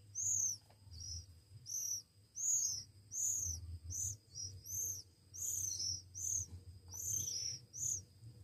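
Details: Hand-fed Oriental magpie-robin chicks aged one week; a series of short, very high, arched squeaking calls, roughly thirteen in quick irregular succession, over a faint low hum.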